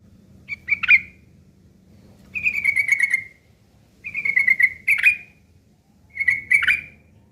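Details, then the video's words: Sooty-headed bulbul giving ngeriwik kasar, a rough chattering used as tutoring material for long-tailed shrikes: four short bursts of buzzy, slurred notes, each with a sharp burry accent near its end, separated by pauses of about a second. "trucuk ngeriwik kasar isian burung CENDET"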